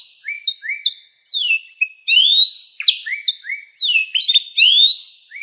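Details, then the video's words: Pet canary song mixing short rising whistles, sharp downslurred notes and brief warbled phrases, uneven in rhythm, with a short pause near the start. Only the bird is heard. "burung kenari bakal ikut bunyi dengar suaranya"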